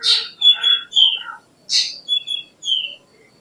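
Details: Black drongo (Dicrurus macrocercus) song phrase: a harsh, scratchy note followed by ringing whistles that fall slightly, then a second burst of a rasp and two descending whistled notes; clean, quiet surroundings.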